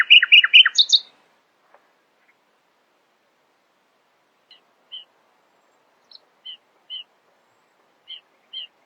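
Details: Early-morning nightingale: a loud, fast burst of rapid chattering notes opens, followed by silence and then soft, widely spaced high double notes repeated every second or so.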